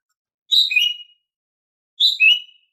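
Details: Female green leafbird giving its daily call, used to prompt silent males to sing: two clean phrases about a second and a half apart, each a bright high note sliding down into a slightly lower, warbled whistle, with silence between.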